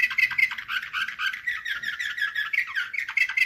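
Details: Slavujar-style canary, its song imitating the nightingale, pours out dense rapid rolls and chattering trills without pause, with short whistled slurs woven through the steady stream.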